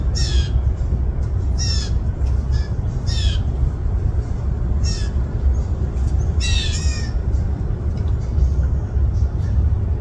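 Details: Yard fledgling blue jays begging on 20 June 2024 while parents feed them less: harsh slurred squawks clustered early and mid-way, then quieter stretches, above continuous low rumbling noise.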